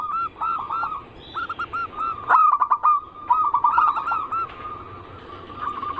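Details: Zebra dove song used as a lure for other zebra doves, in the anggungan cooing style: rolling, bubbling coos repeated in short bursts, with sharp clicks in the middle and quieter steady cooing in between.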